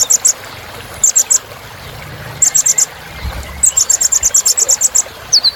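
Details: Sunbird known as kolibri ninja, recorded as filler song for cage-bird training: short sets of high ringing chips building into a longer rapid series, ending in a thin falling whistle.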